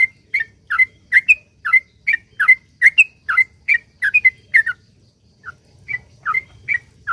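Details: Sooty-headed bulbul pouring out a long song used as a lure for other bulbuls: fast, rhythmic whistled notes for about four seconds, a short gap, then slower scattered notes.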